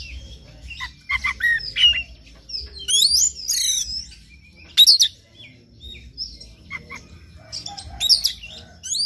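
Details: Oriental magpie-robin singing in the morning as a stimulus for another bird; short clipped notes build into bright, swooping whistled phrases, then scattered high chips with brief gaps.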